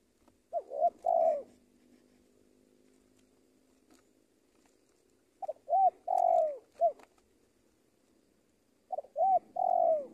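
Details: Three phrases from a tame spotted dove used to lure wild doves in Indonesia: mellow low coos, short notes building into a longer coo, the middle phrase ending with an extra trailing hoot.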